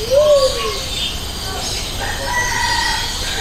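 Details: Luzon bleeding-heart (Gallicolumba luzonica) at Jurong Bird Park gives one soft, low coo under a second, slightly rising then falling, over steady hiss with faint higher bird notes.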